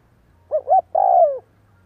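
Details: One full coo of a spotted dove in decoy training: a pair of quick hoots followed by a longer, mellow, falling note, close and distinct.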